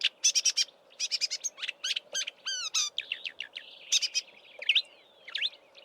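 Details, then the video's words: Marsh warbler mimicking southern African birds in Eastern Cape bush in March, before heading north: quick repeated chips, then a series of descending slurred whistles and scratchy warbled phrases. "Marsh Warbler mimicking Southern African birds in March before migrating north"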